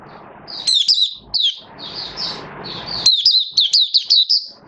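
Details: Oriental white-eye, a kept V2 songbird building up form, sings thin, high chattering notes, first sparse over background hiss, then a quick run of sharp twitters near the end.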